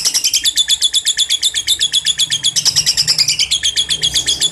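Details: Lovebird ngekek chatter meant to prompt young birds to sing: a steady, dense trill of shrill, buzzy high notes pulsing about four times a second throughout.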